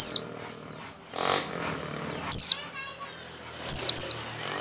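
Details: White-eye lure calls, played to coax white-eyes into song; thin high notes slurring downward, one alone, then a close pair, with a brief low murmur in between.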